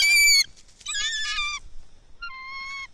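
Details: A bald eagle of a pair bonding toward egg laying at a nest in lakeside loblolly pines, Kincaid Lake, Kisatchie National Forest, Louisiana, gives three high, thin, slightly falling squealing notes about a second apart.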